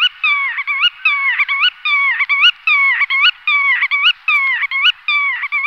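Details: Black-tailed godwit in a steady, rhythmic run of nasal, twangy notes, each bending upward at the end. They repeat more than once a second without a break, loud and close.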